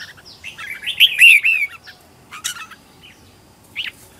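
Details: Red-whiskered bulbul decoy singing at home to lure wild birds: one loud, rich warbled phrase of several quick whistled notes, followed by two short sharp chirps after pauses.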